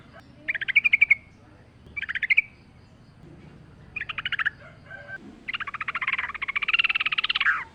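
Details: Sooty-headed bulbul song on a training recording with nature sounds: bursts of bubbly warbled notes, then a longer rolling chattering phrase, over a soft low natural background rumble.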